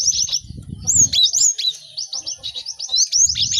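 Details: Lively cinereous tit chorus used as a lure for caged birds to learn song: loud, continuous stream of high slurred whistles and quick chirps with some low thumping beneath at the start and end.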